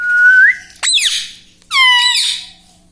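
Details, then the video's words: Indoor pet parrot known for talking mummy and papa; a level whistle ends in an upward flick, followed by two loud, rich harmonic syllables, the last sliding gently downward. "parrots talking papa"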